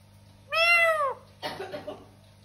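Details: Domestic talking parrot giving one strong arched meow-like wail followed by a rougher, breathy chattering sound, with a low steady hum in the room.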